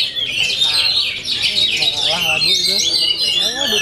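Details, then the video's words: Full-power Oriental magpie-robin song: a continuous outpouring of shrill whistles, trills and harsh chips without pause, with faint human voices beneath. "OMEN KACER FULL POWER"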